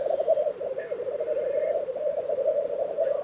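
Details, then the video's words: Black grouse at a lek in Tiveden, Sweden, April 2023: a continuous low, pulsing, bubbling murmur from several males, with faint higher calls of other birds drifting above. "Black Grouse Lek - sound recording"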